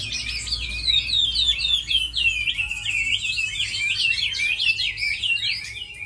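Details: Tame Chinese hwamei, described as a good fighter and fine singer, delivering a rich, fast run of warbled, slurred whistles, looping up and down at a high pitch without pause, with a faint low hum beneath.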